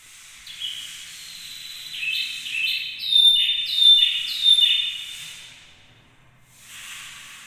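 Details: Canary singing a training song for other canaries: a short run of high whistled and trilled phrases that swells, peaks midway with piercing notes, then fades to softer hiss and a brief final burst.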